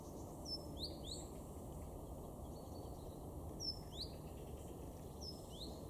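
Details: Great tit in a garden in Weener, East Frisia, northwest Germany, November 2022, giving short, high chipping calls with quick rising notes in a few small bursts over steady low rumbling background noise.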